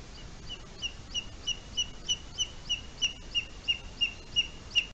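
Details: High, sharp whistled notes from booted eagle eaglets at their forest nest in Spain, on 23 July 2020 at 10:39 a.m. One eaglet had fallen from a branch while preening. Around fourteen notes, steadily repeated about three per second, with soft background hiss.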